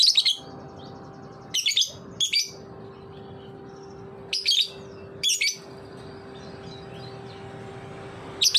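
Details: A lovebird sings ngetik as a lure to set young lovebirds singing: separate bursts of shrill, clustered chirps spaced a second or more apart, with quiet gaps and a constant low electrical hum.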